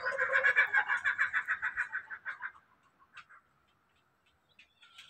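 A laughing kookaburra gives a fast, raucous run of harsh 'ha-ha' notes, about three per second, that fades out after two seconds; faint chatter follows.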